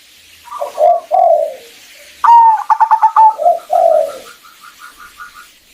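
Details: Cooing of a female zebra dove calling a male to provoke his singing: two soft falling coos, then a loud pulsed, rattling coo and a long smooth coo, followed by a fading series of faint, regularly repeated higher coos.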